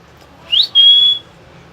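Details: A common hill myna, kept as a talking bird, gives a quick upswept note followed by a pure sustained whistle lasting under half a second, against faint low hum.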